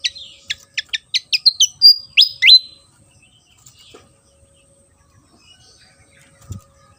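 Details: Javan fantail (sikatan kipas) of Java singing: a run of accelerating sharp chips flowing into loud, sweeping whistled phrases, then near silence with a soft thump near the end.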